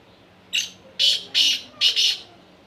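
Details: Female black francolin call: a brief harsh note followed by three louder grating syllables, the last one doubled, over a faint low hum.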